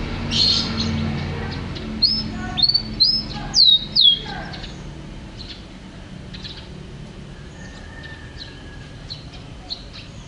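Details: Champion canary delivering a short burst of loud, high, falling whistled notes in quick succession, then fading to quiet with faint scattered chirps and a low hum.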